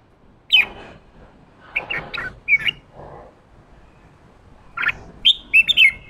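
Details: Red-whiskered bulbul, a newly caught bird urged to sing ché style, delivers clipped whistled notes in small clusters, ending with a quick run of three bright twisting phrases, over faint background hiss.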